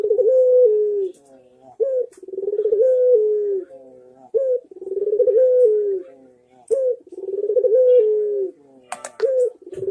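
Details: Barbary dove (puter) cooing in lively manggung style, a master recording for training birds to answer: a rolling, throaty coo with a short rising opener, repeated about every two and a half seconds, four phrases, quiet background.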